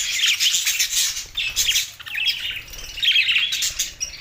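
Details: Budgerigars in Larkana, Sindh, on June 7, 2024, make loud, scratchy warbling chatter in waves of about a second each, with sharp squeaks at the peaks.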